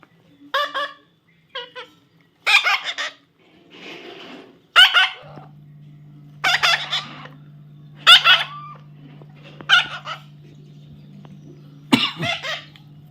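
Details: A baby parrot being tamed gives harsh, raspy squawks in short bursts, a second or two apart.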